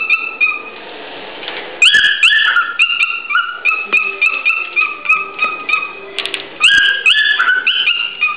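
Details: A male cockatiel sings his close-range courtship song, often right into the female's ear, to win her as a mate: a lively run of clear, stepped whistles rising and falling in short phrases, broken by quick chirps and brief pauses.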